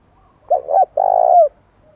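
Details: A spotted dove sings to goad wild birds into fighting. One phrase: two quick throaty coos, then a longer vibrating coo that falls away at the end.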